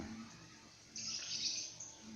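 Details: Speech-imitating common hill myna, which copies the call to prayer, coughing and calls for mum and dad: after a quiet start, one long, loud, rasping high-pitched screech that fades out.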